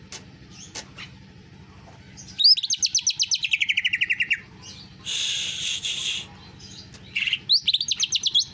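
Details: Greater green leafbird singing canary-style: a long rapid trill of even, buzzy repeated notes sliding slightly downward, then a grating harsh rasp, followed by another quick high trill.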